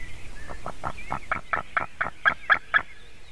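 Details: Latvian white-tailed eagle chick at the nest calling in an almost adult voice as a buzzard flies toward the nest and lands behind it, 9:05 AM, 17 June 2019; a quick series of about ten yelping notes growing louder, faint small birds behind.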